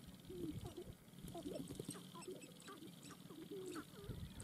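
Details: Displaying sharp-tailed grouse on a dancing ground: chattering bursts of short curved notes, some rising then falling, scattered irregularly over the whole stretch above a low rumble.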